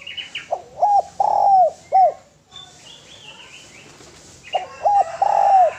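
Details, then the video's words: Melodious masteran cooing of a spotted dove (derkuku): clipped coos leading into a long level coo that drops at the end, heard twice, with faint higher twittering from other birds between the phrases. "SUARA DERKUKU GACOR SUARA MERDU BERSIH MEWAH MASTERAN TEKUKUR"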